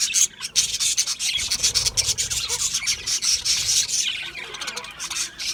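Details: Raspy, grating budgerigar chirps pour out almost without a break, harsh and high-pitched, with small squeaks mixed in.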